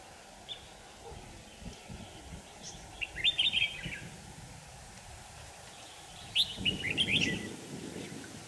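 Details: Red-whiskered bulbul decoy giving a fighting song while trapping on a day the wind changed, 5 December 2018: two brief phrases of quick, chirpy whistled notes, several seconds apart, over low rumbling noise.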